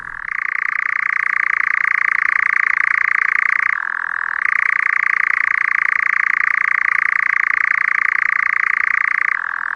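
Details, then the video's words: European nightjar churring in a forest on a summer night. It is a summer visitor that arrives in May and eats insects. A loud, continuous, rapidly pulsed mechanical trill holds steady, then drops briefly to a lower pitch before resuming. "Jaa, on ööhääli ka ja öösoristajat kuulata. Kuulame siis. See on siis suveöö juba."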